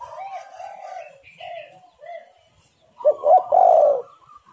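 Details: Lure call of a spotted dove: several gentle, wavering coos, a short pause, then a loud, burry two-part coo that swells and holds.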